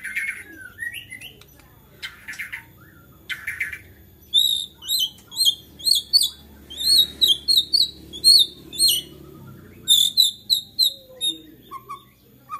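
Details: Agitated white-rumped shama singing to provoke others of its kind: a few buzzy bursts, then a long string of crisp, high chipping notes in short clustered phrases, repeated steadily with brief gaps.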